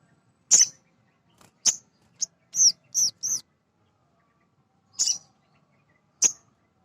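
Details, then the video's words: Male sunbird (sogon) used to spur other birds to sing: loud high chirps, then a quick cluster of three curved, slurred notes, a pause, and two more sharp chirps. "Suara Sogon jantan asli"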